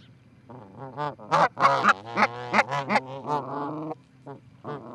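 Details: Two Canada geese visiting the Charlo osprey nest in Montana, 4-7-18, recorded by a live camera: a rapid, excited string of honks, loud and uneven, tapering to a couple of final calls.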